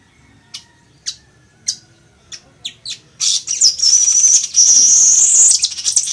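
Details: Weaver singing, in a recording for teaching birds to sing: several spaced high chips speed up and run into a long, loud, sizzling buzzy trill lasting over two seconds.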